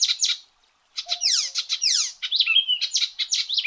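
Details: Icterine warbler song with loud, rapid bursts of harsh descending sweeps and chattering notes, a brief pause after the opening, then a steady mimic-like medley with a short whistled note.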